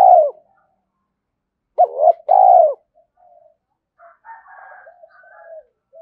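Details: Spotted dove call used to get a decoy dove going: a low coo at the start, then a clear phrase of a double note and a long falling coo, followed by faint raspy sounds and soft low notes.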